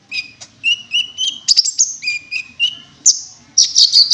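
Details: Cinereous tit calling in the wingko lure style, used to attract birds: rapid alternating whistled notes at two pitches, repeated in a bouncy rhythm, with sharp higher chips mixed in.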